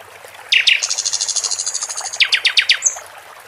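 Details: Two sharp chirps from a caged sikatan londo flycatcher, followed by a fast buzzing pulsed trill and a series of descending whistled strokes, ending on a thin high note.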